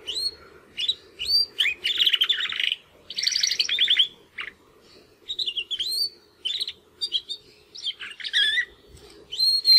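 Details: Two young Timbrado canary brothers, males born in the second breeding of 2020, making their first attempts at song after their first molt: fragmented phrases of rising whistled notes, rapid rattling trills and short chirps, with pauses between bursts.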